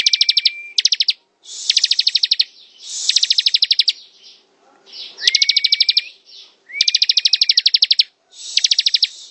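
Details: Bar-winged prinia (ciblek) in ngebren song: repeated dense trains of rapid high ticks separated by brief pauses, with level held whistles under the first and some later bursts.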